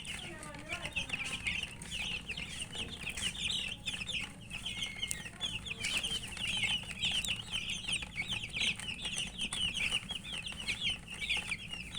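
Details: Murgi chicks chirping as they eat, a steady flock chorus of thin, high notes lasting throughout, with constant light tapping of pecks.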